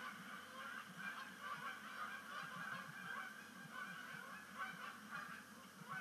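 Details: A sunset flock of migrating Canada geese on Sapsucker Woods Pond, October 2019, gives a noisy mix of honks and higher yelping notes, overlapping without pause.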